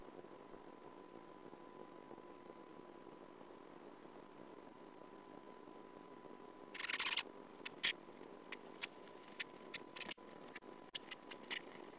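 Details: Steady electrical hiss with a faint constant tone, then a burst of rustling and scattered sharp clicks and knocks; no animal voice.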